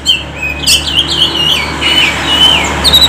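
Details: Oriental magpie-robin lure song for stimulating birds to sing: a string of slurred whistles and squeaky notes, rising and falling, over a low constant hum.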